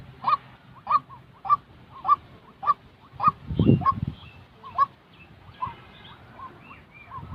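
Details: Real white-breasted waterhen notes used for training trapping decoys: loud clipped calls repeated about every half second, with a brief low thump midway and softer calls trailing off toward the end.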